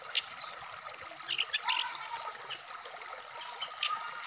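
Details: Indonesian caged Black-throated laughingthrush with rapid rhythmic high chips running into a long, thin, gently falling whistle, then more short notes.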